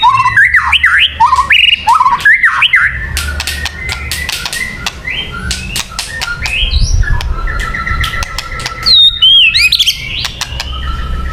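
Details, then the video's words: White-rumped shama song for luring birds: rich mix of sweeping whistles, harsh clicks and chattering notes, with a high whistled flourish near the end. "Suara Burung Murai Batu yang paling baik untuk pikat"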